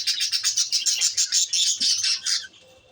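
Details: Lovebirds giving a rapid stream of shrill, high chirps, many per second for over two seconds, then stopping abruptly.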